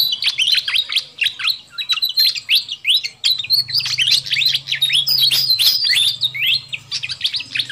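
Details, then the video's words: Fantail flycatcher lure recording, a busy, noisy call track used to attract wild birds: dense overlapping bright chirps and rising and falling whistled notes, rapid and irregular, with a faint low hum underneath. "Suara Pikat Burung Sikatan Kipas RIBUT"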